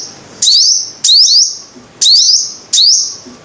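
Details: Five-coloured sunbird giving four loud phrases, each a cluster of quick rising chips ending in a thin steady ringing tone, spaced under a second apart.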